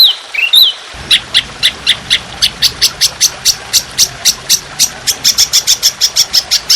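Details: Trotolan in a songbird training recording of fierce, long, harsh, continuous 'shot' song. After a few swooping whistles, sharp high chirps repeat roughly four times a second over a steady hiss of trickling water.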